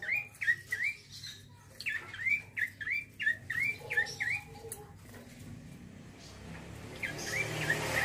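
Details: Male bar-winged prinia singing a rapid rolling 'ngeroll' series of bright hooked chirps for about five seconds, then fading to quieter notes as broadband background noise rises.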